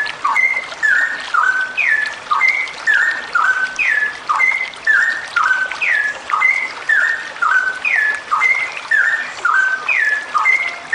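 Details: Female straw-headed bulbul in full voice, a long rapid 'ropel' song style. A short phrase of clear whistled, down-slurred notes around mid pitch repeats about every second in a steady loop over constant background hiss.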